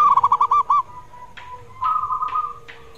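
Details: Zebra dove song used as therapy for a quiet caged bird, opening with a quick string of looping coos followed by softer sustained tones and a few sharp clicks.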